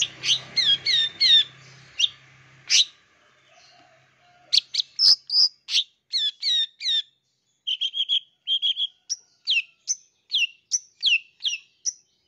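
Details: Long-tailed shrike delivering a song full of imitated calls, played to draw a response from young wild-caught birds; fast runs of sharp downslurred whistles, buzzy bursts and clipped chirps, paused briefly, then renewed rapid sequences.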